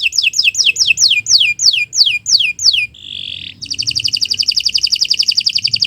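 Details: Canary in long training song: a run of about ten loud descending whistled notes, a short pure whistle, then a fast buzzy repeated trill.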